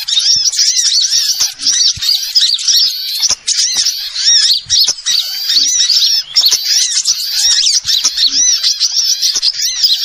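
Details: Trapping lure of small birds calling together: a busy, continuous wall of shrill chirps and short curved whistles from many birds, steady throughout with occasional momentary gaps.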